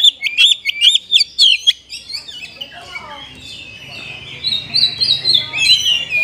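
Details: Caged-bird lure of an Oriental magpie-robin (kacer) with rich 'isian'. Rapid chirping opens, then fades into a soft muddled stretch before quieter warbled whistles return.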